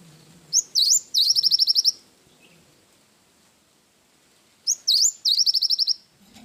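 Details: Two full phrases of cinereous tit song in the 'isian wingko' style, separated by silence. Each has a sharp swooping whistle, then a rapid series of about eight high, even, chiming notes.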